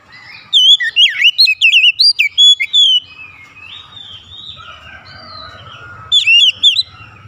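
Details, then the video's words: Oriental magpie-robin song: about two seconds of quick, varied whistled phrases with sharp downslurs, then softer drawn-out notes, then a brief burst of whistles near the end. "KICAUAN KACER YANG INDAH DAN ENAK DI DENGAR"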